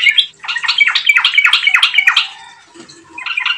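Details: Yellow-vented bulbul singing energetically, played as a lure to start other birds singing: a fast run of about seven downslurred, bubbling notes, a brief pause, then a new phrase beginning.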